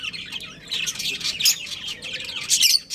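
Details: Continuous high-pitched budgerigar warbling from a breeding pair, a fast jumble of scratchy chirps and squeaky tweets that grows louder midway and again near the end.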